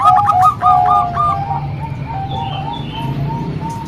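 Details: Zebra dove in a training mix of Bangkok and local songs for young doves: bright looping coos in quick succession, then softer spaced notes, with a faint chirp and low hum in the background.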